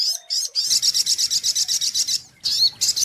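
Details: Brown-throated sunbird song, a lure recording for bird trapping: dense, high, rapidly repeated sharp chirps, about three per second, broken by short pauses, with a thin whistled note at the start.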